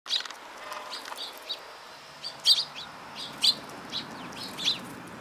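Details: Several sparrows recorded on 10 June 2018, giving short, high chirps scattered irregularly about once a second, fairly soft against a quiet background hiss.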